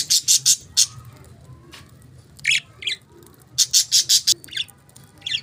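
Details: Pet budgies giving rapid high, harsh chirps in clusters of three to five, with a few softer notes between and a faint low background hum.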